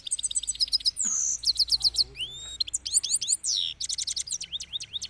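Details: Himalayan goldfinch song: quick bursts of high liquid chirps and twitters, about four notes a second, broken by a harsh rasping buzz and a few clear rising whistles, then more tinkling phrases.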